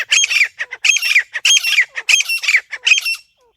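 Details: Grey francolin call used as a hunting lure: loud, harsh, screechy squawking notes in tight bursts, repeating about every half second in a steady, insistent rhythm, then stopping abruptly.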